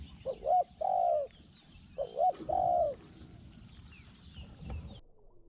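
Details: Two spotted dove phrases, each a quick wavering double note then a drawn-out mellow coo. The bird is a Thai decoy dove, described as small-voiced with 'hong hong' calls, luring wild doves.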